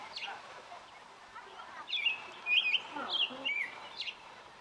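An American robin sings a few short, clear, warbled phrases at a middling-high pitch, bunched together over about two seconds, with a soft outdoor hiss behind.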